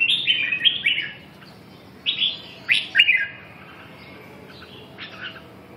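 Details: Red-whiskered bulbul singing: loud, bright whistled phrases rising and falling, given in quick bursts at the start, then again after a pause around two and three seconds, with a softer final note near the end over low background hum.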